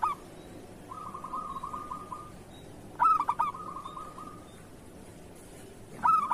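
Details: Kerot-style song of a local zebra dove, meant as a tutor for other doves: long soft rolling trills, each ended by a loud stuttered, bubbling coo, two such bursts a few seconds apart, with faint hiss behind.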